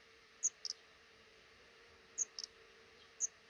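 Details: Black redstart at a nest in a small nook under a house roof above a front door, where a pair raises five chicks as eggs hatch; thin, very high, short peeps, some doubled, scattered sparsely over steady faint background hum.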